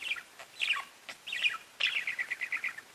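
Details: Chirping of pet budgerigars: short warbled notes, then a fast run of evenly spaced high chirps during the last second.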